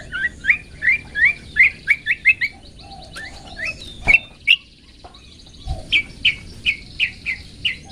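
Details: Long-tailed shrike song used for training pet birds: rapid series of short slurred chirps, roughly three per second, pausing midway with a few clicks, then resuming the repeated chirping.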